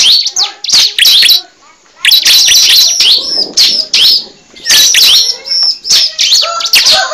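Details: A cible bird's lure call: clusters of sharp high chirps and slurred whistled notes in bursts about one second apart, with brief quiet gaps between phrases.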